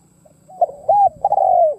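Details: Decoy spotted dove giving a cooing phrase meant to attract wild doves: soft lead-in, two short hollow coos, then a long, loud, gently falling coo.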